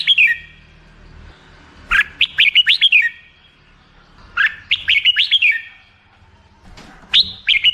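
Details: Three repeated song phrases from a black-crested bulbul, each a cheerful burst of five to seven sharp, looping whistles, spaced roughly two to three seconds apart with near silence between.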